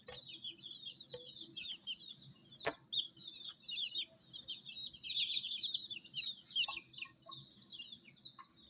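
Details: A crowd of domestic chicks (Gallus gallus domesticus) peeping nonstop, high thin chirps overlapping in a busy chorus.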